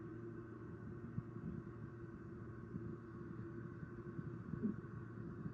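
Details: A steady low engine hum and rumble, like an idling vehicle or boat, with no animal calls.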